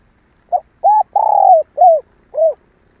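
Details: Female spotted dove calling to stir males into calling: five low cooing notes, a short note, an even one, a long rolling coo that falls at the end, then two arched coos, clean and without other sounds.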